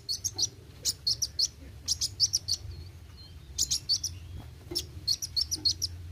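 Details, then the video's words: Kolibri wuling sunbird delivering fast, thin, high chirps and twittering trills in repeated clusters, a few soft down-slurred whistles between bursts, steady low hum underneath. "Kolibri Wuling Gacor Roll tembak"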